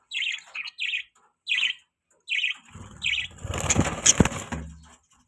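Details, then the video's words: Pet budgerigars chirping: a series of short bright chirps in the first three seconds, then broadband rustling and clattering noise from about three to five seconds. "Cutest Budgie Chirping Sounds"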